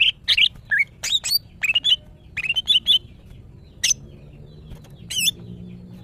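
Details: Female greater green leafbird in breeding condition, kept as a cage bird, calling to attract males: sharp whistled and chattering notes around mid-high pitch, short bursts separated by brief pauses, with a low steady hum underneath.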